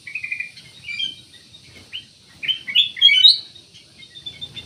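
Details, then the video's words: Black-naped oriole singing quiet opening notes that build into a dense cluster of rising, jumbled warbles before fading. "BURUNG CUCAK EMAS / KUTILANG EMAS"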